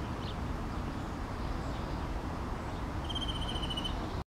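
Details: European greenfinch perched on a fence in Helsinki, Finland, June 2013, giving one rapid, even trill lasting under a second near the end, over a steady low rumble of wind or distant traffic.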